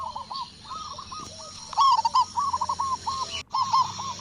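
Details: Loud local zebra dove from Indonesia giving a burst of quick, bubbling coos in a tight run. Softer cooing continues around it, and there is a brief break near the end.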